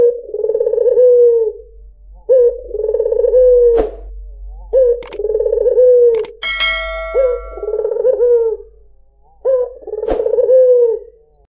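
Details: White dove (puter putih) cooing, used as a lure to attract other birds: low, mellow rolling coos, each phrase about a second long and ending in a slight upward inflection, repeated roughly every two seconds, with a few sharp clicks and one ringing metallic ding.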